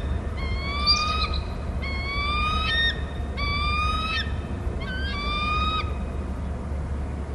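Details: Calls from a pair of bald eagles, one at the nest and one out in the territory, on Hornby Island: four bursts of thin, rising, squeaky whistles over a constant low background rumble.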